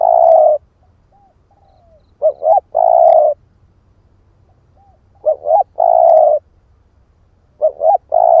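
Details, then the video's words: Lure call of a spotted dove ('ức chẻ' type). Three coo phrases come about every three seconds, each two short hollow notes and a long drawn coo. Soft arched little notes fill the pauses between them. "Tiếng chim cu gáy kích bổi"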